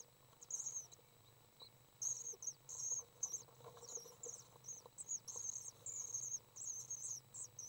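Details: After a quiet start, three young common swifts being fed on May 30th 2012 break into excited, high-pitched twittering in rapid chirp clusters, with a steady low hum beneath.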